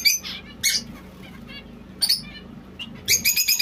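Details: A white zebra finch utters short, nasal, harmonic chirps in separate bursts about every half second to a second, ending in a quick run of repeated notes, with a low background hum.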